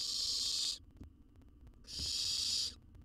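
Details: Young wild owl in a research nest box in Israel, eating a jird: two strong breathy screeching hisses, each nearly a second long, with a short quiet gap and a few dull taps.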